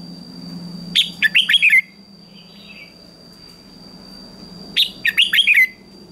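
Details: Red-whiskered bulbul singing in a morning duelling contest: two matching phrases about four seconds apart, each a quick run of five or six bright, slurred whistles, with a soft distant call between.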